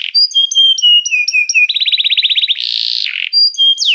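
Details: Training song of a canary calling others to sing: clear steady whistles stepping downward, then a fast rolling trill, a harsh buzzy burst, and a few more bright whistles, with no background noise.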